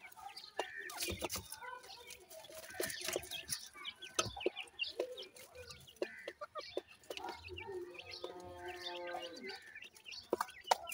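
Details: Grey francolin chicks, known locally as dakhni teetar, kept for breeding: scattered sharp high chirps and clucks in irregular bursts, with a brief tonal, harmonic call near the end and a faint low hum behind.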